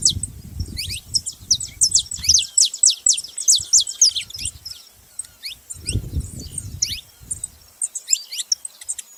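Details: Several saffron finches calling at once, a busy stream of high, steeply falling chirps and thin whistles, interrupted by patches of low rumbling noise.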